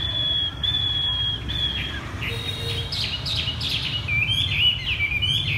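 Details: Chinese hwamei singing from the ground, with thin high whistles and a burst of varied warbling, ending in rapid looping high notes.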